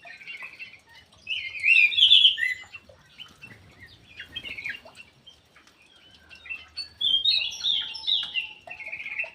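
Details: Punglor jali ground thrush singing in an aviary: a bright burst of warbled whistles around the start, softer scattered chirps in the middle, and a second varied whistled phrase near the end.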